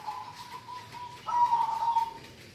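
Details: Local zebra dove: a long, even, low note held steadily, then a louder, slightly wavering drawn-out tone of about a second, over a soft hiss of background noise.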